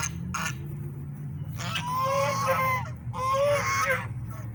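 Swans give two loud, harsh honking calls, each about a second long with a nasal, trumpeting tone, over a steady low hum.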